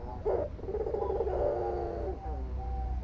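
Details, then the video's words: Albino white dove, a frequent caller, gives one brief accented note then a long low purring coo that slides downward, another note starting at the end, with low hum beneath. "SUARA PUTER PUTIH ALBINO GACOR_THE VOICE OF THE PUTER ALBINO GACOR"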